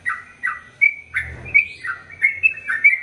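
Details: Sooty-headed bulbul singing in the long rapid style called ropel panjang, used as a tutor recording for male and female birds: bubbly, liquid chirped notes repeated about every 0.4 seconds, with a brief low rumble partway through.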